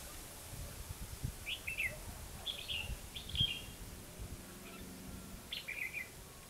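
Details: Competitive song of a Red-whiskered bulbul lure bird at a trapping spot in Hòa Mạc, Hà Nam, Vietnam: spaced short phrases of bright chirping, slurred notes every second or so, with faint rustles below.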